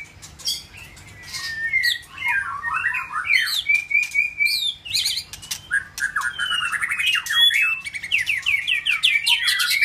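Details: New male white-rumped shama challenging another male, pouring out a loud, varied song: slurred whistles, a steady level whistled note, then rapid descending chip series and buzzy high notes, building in intensity toward the end.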